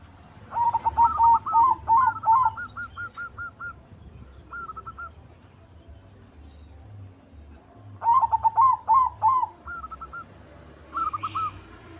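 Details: White zebra dove singing actively, played to lure other zebra doves into song and raise their breeding drive. It gives two bouts of rapid, bubbling, stuttered coos around eight seconds apart. Each bout ends in short rolling phrases, with faint background rumble.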